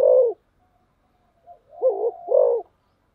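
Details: Spotted dove cooing in the rapid 'thúc gù' style: one loud, low coo, a pause, then a soft short note and two more deep, wavering coos close together.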